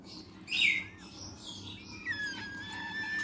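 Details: Blue-eyed cockatoo chick being hand raised, begging with a short harsh rasp followed by several thin, descending whistled notes, against a faint constant hum.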